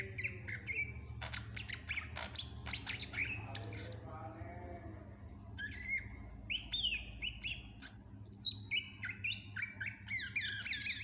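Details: Lively "gacor" song of a greater green leafbird, full of varied filler phrases for training other birds: sharp high chips and buzzy notes at first, a harsher rasping passage midway, then clear whistled slurs and rising-falling phrases, with low background hum.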